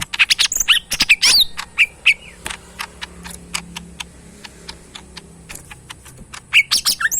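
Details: Tame, caged pet bulbul in full song. Rapid high chirps, sharp clicks and short slurred whistles pour out in dense, irregular bursts, with brief quieter runs of ticking notes in between.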